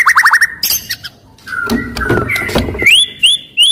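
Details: Loud white-rumped shama singing to rouse other shamas into song and fighting. A quick series of falling notes comes first, then noisy chatter, then clear rising whistles repeated about twice a second.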